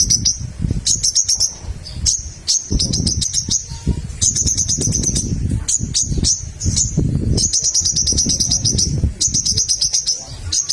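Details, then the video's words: Little spiderhunter (sogok ontong) in full song, used to provoke rival birds into singing: bursts of rapid, high, dry chipping notes in runs of one to two seconds, over steady low rumbling background noise. "SOGOK ONTONG GACOR MEMANCING LAWAN JADI BUNYI"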